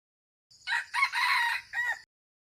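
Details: Red junglefowl (qaib qus) giving its crow: a quick harsh note, a second burst, a sustained coarse middle phrase and an abrupt last syllable. There is a faint low rumble underneath.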